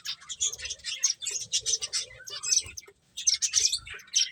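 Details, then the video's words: High staccato chirps from feeding finches come in uneven bursts, a brief silent pause near the end, alongside a faint low buzzing murmur. "Cute Birds Chirping Sounds | Beautiful Finches Eating"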